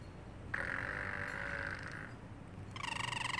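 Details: Pet parrotlet in a cage, meowing like a cat: a drawn-out, even, whistled tone of about a second and a half, followed by a short buzzy pulsed note.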